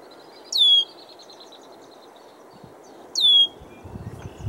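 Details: Male yellow-headed blackbird perched on cattails in Southwestern Montana, giving two loud, high, sharply descending whistled calls about two and a half seconds apart, each with a buzzy trailing rattle; soft wind-like background and a low rustle at the end.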